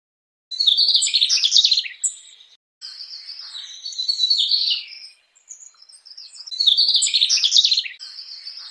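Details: Mugimaki Flycatcher (Ficedula mugimaki) giving three bursts of high, rapid, jumbled twittering, each about two seconds long, separated by short pauses; no other sounds stand out.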